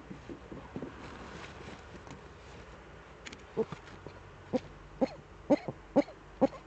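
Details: Eurasian eagle-owls in Germany's Eifel on 11 March 2013 at 18:47, both birds of the pair back. Brief clipped calls repeat roughly every half second and grow louder toward the end over faint background hiss.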